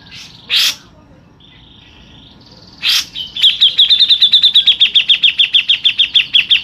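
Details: Grey-cheeked bulbul, local bird: two harsh bursts and a flat whistled note, then a long rolling 'tembakan' run of fast sharp repeated chips lasting over three seconds.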